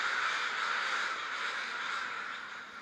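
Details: Many crows hanging out together before the roost: a thick, unbroken din of rasping caws blending into one another, fading slightly toward the end.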